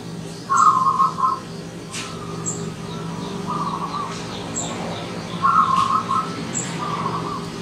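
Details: Wild zebra dove arriving as a visitor, giving two bursts of rapid, trilled, rippling coos on one mid pitch, several seconds apart, with faint high chirps from other birds and a low steady hum behind.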